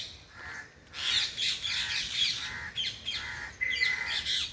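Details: Harsh, overlapping parrot chirps and squawks in loud bursts, with short gaps between volleys and one thin whistled tone near the end.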